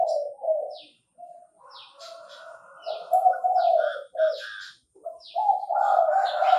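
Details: Chinese francolin, known locally as đa đa, calling in Bình Thuận, Vietnam: a series of harsh, rough mid-pitched notes in uneven bursts, rising toward the end, with thinner high chirps from other birds overlapping throughout.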